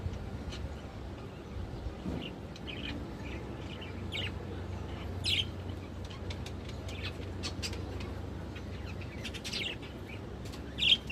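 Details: Budgerigars (Melopsittacus undulatus) chatter in short, scattered high chirps and squeaks, with no steady rhythm, over a constant low rumble.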